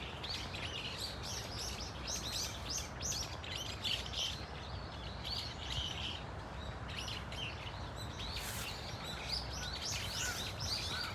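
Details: Flock of Brown-eared Bulbuls calling at Dunsan Grand Park, a steady stream of high, scratchy chirps and short squeals from several birds, with low background hum throughout.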